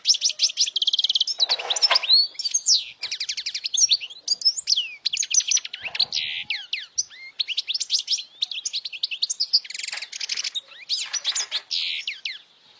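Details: European goldfinch in steady loud song for young birds to learn, near-continuous liquid twittering with rapid chirps, tinkling trills and occasional harsh buzzy notes throughout.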